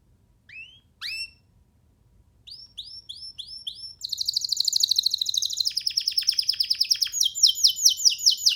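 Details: Young canary singing freely on a hand, opening with a few separate rising whistles, then launching into long fast trills that shift pitch partway through.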